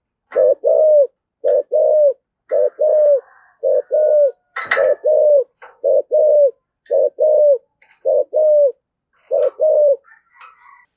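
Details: Spotted dove in the 'thổ sấm' voice style, 'thúc gù' cooing: steady run of low paired coos, each short note followed by a longer down-curving one, roughly nine phrases; one sharp knock midway and faint chirps in the background.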